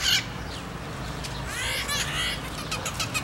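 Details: Red-shouldered macaw in the cerrado near Araguari, Minas Gerais, Brazil: a short raspy screech at the start, then a run of scratchy, buzzing squawks in the second half, over low rumbling noise.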